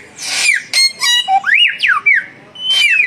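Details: Duelling samyong birds, one young and one mature, singing actively: a buzzy burst, then clear whistled notes rising and falling in swift arcs, ending with a long high steady whistle.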